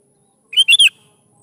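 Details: Sooty-headed bulbul in full song, used as a lure to get young bulbuls to answer and sing: a single quick phrase of three bright, slurred whistled notes, the middle one loudest, over a faint steady hum.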